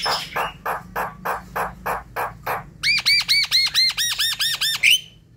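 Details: Javan myna, played at night to coax a reluctant bird into song: about eight harsh, evenly spaced rasping notes, then a rapid series of arched ringing whistles ending in an upslurred note.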